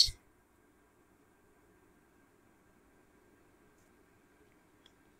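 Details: A single sharp click at the start, then near silence with only a faint steady room hum.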